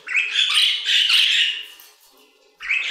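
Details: Short burst of budgerigar warbling in an aviary: a scratchy, chattering phrase fading out, then a fresh chirp starting at the end.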